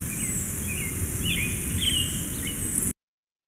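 An American Robin sings short, clear whistled phrases that rise and fall, several in three seconds, over a steady low rumble of background noise.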